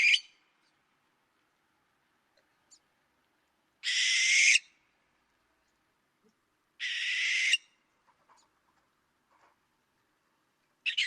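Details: Barn owl at night in the Bay Area near Mount Diablo, California, giving harsh, hissing screeches, each under a second long, repeated about every three seconds; otherwise quiet.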